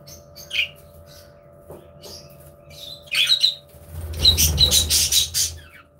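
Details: Budgerigars in an aviary; squeaky chirps lead into a loud run of harsh raspy squawks and chatter, with rumbling thuds and a faint hum behind.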